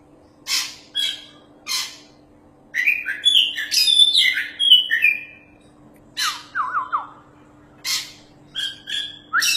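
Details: Champion Oriental magpie-robin singing in full voice, used as a tutor song for other birds: separate harsh squawky bursts, then a dense run of varied whistled phrases, a falling trill near the middle, and more sharp notes; steady low hum throughout.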